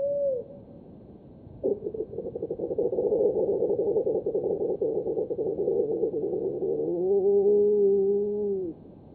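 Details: Water rail squeal, piglet-like, played slowed down five times: a brief sliding note, then a long throbbing run of rapid pulses that smooths into a drawn-out, falling wail.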